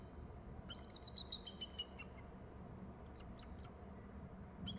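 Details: Eagle calling as it flies in from low right and lands on an upper right branch, calling on landing: a quick series of thin, high, slightly descending whistled notes, then faint scattered notes, over a steady low rumble of background noise.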